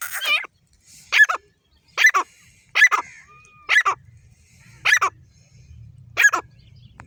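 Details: Harsh, grating calls of a female grey francolin, one clipped rising-falling note about every second, about seven in all, with a low background rumble near the end.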